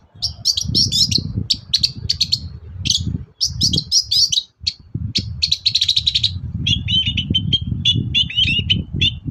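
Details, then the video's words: Long-tailed shrike singing in the morning as a lure for other shrikes to answer: a continuous, busy stream of high chirps, rattles and short whistled trills, later shifting to lower warbled phrases, over a constant low hum. "BURUNG CENDET GACOR PAGI HARI BIKIN CENDET MANAPUN LANGSUNG NYAUT"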